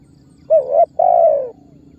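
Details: Spotted dove giving a calling-style lure call meant to make other birds call and draw target birds toward trappers; a low two-part coo with a short doubled note, a brief gap, then a longer falling note.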